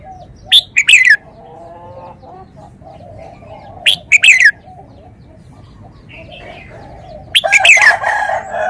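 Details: Red-whiskered bulbul song in three separate bursts about three seconds apart, each a quick, bubbly, slurred phrase of several clear notes, set against a constant low droning hum in the background.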